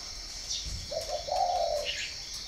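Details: Spotted dove from Ba Vì in northern Vietnam, at a breeding farm, uttering two quick soft notes followed by a longer low hoarse coo, with a short chirp and a shrill background hum.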